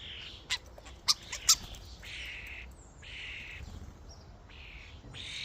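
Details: Common starlings in a flock at a feeding station give fairly quiet, harsh rasping bursts of about half a second, repeated at short gaps, with a few sharp loud clicks or taps near the start.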